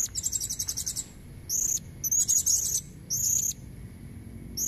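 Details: Female blue-crowned hanging parrot, calling to draw in red-necked males, gives a fast stuttering run of high sharp notes, then short shrill trilled phrases repeated about every second, with faint low background rumble.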